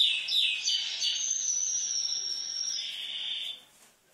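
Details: Red canary song: a few quick chirping notes open into a long, even, high-pitched rolling trill lasting about three seconds before it fades away into quiet.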